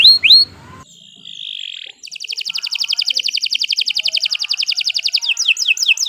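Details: Long, vigorous canary song used as tutor material: two quick rising whistles, a sustained buzzy note, then an extended rapid trill of evenly repeated notes ending in upward-sweeping phrases.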